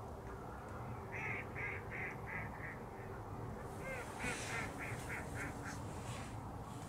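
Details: Smew (Mergus albellus) giving two quick runs of five or six short, nasal, duck-like notes, about three a second, over steady low wind rumble at De Banen, Netherlands, on 2 January 2013.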